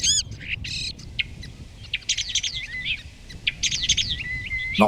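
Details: Common starling singing with wing-flapping display at its nesting site: a jumble of clicks, rattles and buzzy chatter mixed with thin steady whistles, rapid and varied throughout.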